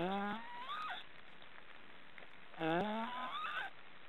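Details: Young black storks, three in the nest, snoring in an Estonian forest. Raspy calls glide upward into higher wavering whines, two bursts spaced about two and a half seconds apart over low hiss.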